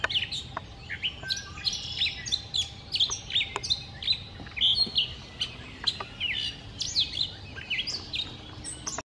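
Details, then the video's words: Gray catbird in Lucas County, Ohio, 17 May 2018, sings a rambling, unbroken string of squeaky, chattering and whistled notes, quickly varied and high-pitched, with a faint low hum beneath. "Gray Catbird"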